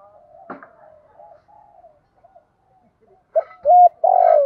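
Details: Spotted dove call used to provoke wild doves into fighting. Faint murmuring notes and a click give way near the end to loud coos, a short hooked note followed by a long buzzy coo that is cut off.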